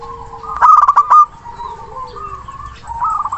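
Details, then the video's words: Local zebra dove with a loud, long-breathed song, calling a rival: an opening burst of rapid rolled coos, then softer wavering notes that rise again at the end. "Perkutut Lokal Gacor Suara besar Nafas Tua memanggil Lawan"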